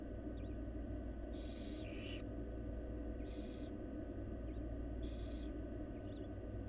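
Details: Wild barn owls in a monitored Florida nest box, on the day the fourth nestling hatched: loud breathy hissing screeches about half a second long, three of them, alternating with soft high chitters, all over a constant low drone.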